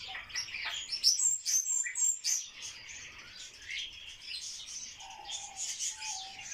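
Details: Barred warbler during a mating dance, giving a dense, scratchy chattering warble of rapid high notes, with a few short low whistled tones near the end.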